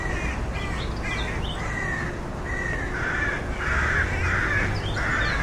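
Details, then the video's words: Rook calls: harsh, grating caws that start short and clipped, then lengthen and grow louder, repeated steadily, with a low droning background. "Rook Bird Sounds"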